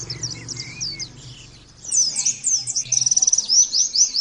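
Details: Oriental white-eye song used for training: a subdued jumble of high notes and a soft lower whistle, then a lively outburst of sharp twitters and a rapid, evenly pulsed trill, over a soft hum.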